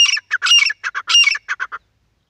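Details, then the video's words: Partridge, from a set of wild, hunting and female calls, giving a loud burst of grating squawks with ringing tones, notes tumbling in quick irregular groups before fading into shorter clipped calls. "Jangali Titar ki awaz and shekare titar ki awaz and female ki awaz"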